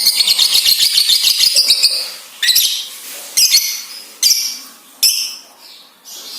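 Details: Lovebird chattering used as a lure to get other lovebirds singing: a fast run of high buzzy notes, then several separate harsh squawks with pauses between.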